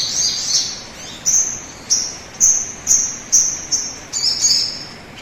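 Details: Sogon song played to prompt other birds to sing: a series of short, high, bright chirps repeated roughly every half second, with a faint steady insect-like hiss in the background.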